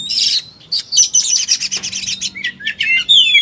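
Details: Kacer, an oriental magpie-robin, singing in full fighting style and spilling out its material: dense scratchy chatter and rattles, then clear whistled notes and a final descending whistle.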